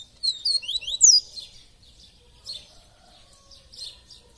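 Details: Double-collared seedeater giving its "tui tui viviti" song, a bird said to sing all day; an opening run of loud, fast, high sliding whistles lasting about a second, then softer scattered chirps.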